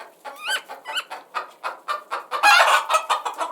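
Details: Chickens clucking together, short rapid clucks with a few rising squawk-like notes near the start and a louder burst of overlapping calls later, steady background of flock noise.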